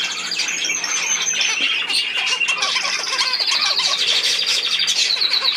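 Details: Several budgerigars calling at once, with squawky notes, scratchy warbles and, later, a rapid high trill of repeated clicks.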